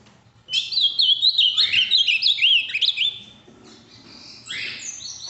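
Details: A large, deep-blue ultramarine grosbeak from the Minas Gerais region, noted for a very firm song, sings a rich, fast warbling phrase of sweet slurred whistles for about three seconds, then a fainter phrase after a short pause.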